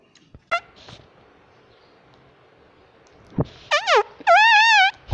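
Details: Talking pet parrot indoors, said to say "mummy" nonstop: after a quiet stretch with a few clicks, a burst of loud, wavering, voice-like tones arrives near the end, the last one drawn out and warbling.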